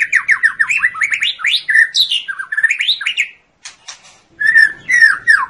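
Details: White-rumped shama (Copsychus malabaricus), a territorial forest bird, pouring out a fast, varied song of rich whistles, rising and falling notes and sharp chips, with a brief pause midway; used as a training (master) song.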